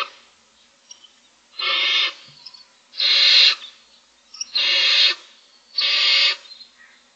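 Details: Six barn owl owlets in a nest box beg for food on day 25, giving loud rasping hisses, four broad, noisy bursts of about half a second each, repeated roughly every one and a half seconds, with faint high chirps between.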